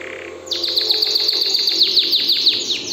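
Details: Excited canary launching abruptly into a fast tour of sharp descending sweeps, about six per second, steady and bright, with a soft low hum underneath.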